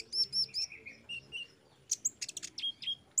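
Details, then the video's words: An olive-backed sunbird sings in a therapy track for caged birds: three clear high upslurred whistles, a series of lower falling notes, then a jumble of rapid sharp chips and two final whistled slurs. "TERAPI KONIN BAHAN OMBYOKAN JADI CEPAT GACOR DENGAR KOLIBRI BONGKAR MATERI PASTI NYAUT SEMUA"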